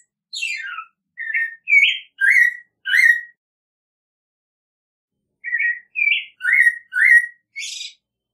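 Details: American robin song: five rich whistled phrases, including one sliding steeply down, then a pause and five more slurred whistles ending in a brief high note.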